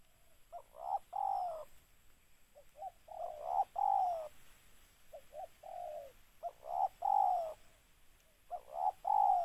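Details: A spotted dove used as a lure call for trapping doves coos in soft, hollow phrases of three or four low notes, each phrase about every three seconds, over a faint hiss.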